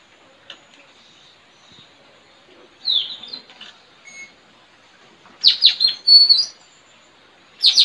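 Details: Trained decoy Straw-headed bulbul kept to lure wild birds, village yard, 4 April 2021, singing against another bird: a brief high whistle, a pause, then a fast burst of sharp chirps and a clear sustained note.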